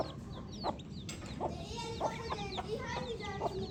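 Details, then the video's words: Baby chicks calling: scattered high downward peeps over a murmur of lower, softer notes and occasional taps; busy background hubbub. "Peaceful Baby Chick Chirping Sounds"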